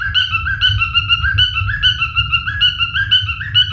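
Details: Male cockatiel singing a chain of clean whistled notes with occasional rising slurs, repeated about twice a second, accompanied by constant low-pitched rumbling noise.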